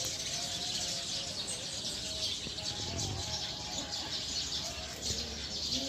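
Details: Flock of wild Eurasian tree sparrows heading to roost in a tree, their bright, high chattering chirps overlapping into a steady wall of sound with no pauses.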